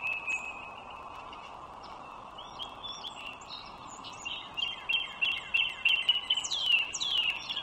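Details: One of two wild bald eagles along the Dulles Greenway, Virginia, 21 March 2023, 09:15: after a quiet spell, a fast, excited string of high, descending chittering notes builds over several seconds, against a steady broadband hum.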